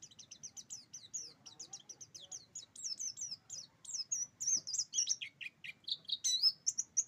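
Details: Oriental white-eye of the buxtoni race singing a quick rolling series of thin, high twittering notes, steadily delivered, then turning into varied swooping whistles and squeaky trills.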